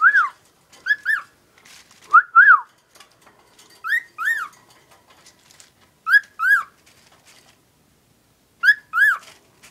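A cockatiel whistles clear, arched paired notes, repeated every two seconds or so.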